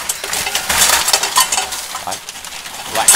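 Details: Bright metallic clinking and jingling, like coins or small objects knocked together, with a faint hiss behind; no animal calls heard.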